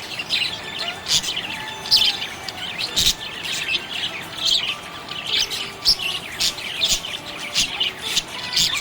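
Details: Happy budgie chirping: steady stream of high, squeaky twitters and sharp chirps, with brief level whistles interspersed.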